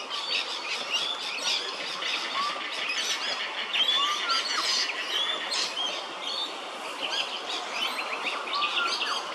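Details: Laughing kookaburra at Hervey Bay, Queensland: harsh, rollicking chatter runs without pause, rising and falling in dense bursts, with thin whistles and chirps from other birds mixed in.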